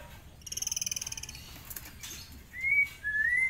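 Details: Tame forktail used as master song, singing in the 'ngitir' manner: a rapid buzzy trill of evenly spaced pulses lasting under a second, then two drawn-out rising whistles.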